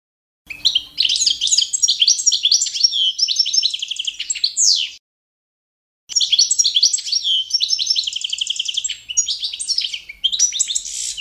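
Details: Competition-standard song of the Balkan goldfinch, Carduelis carduelis balcanica, used for training: two bursts of rapid tinkling twitters and buzzy trills separated by a second of silence, bright and high-pitched throughout.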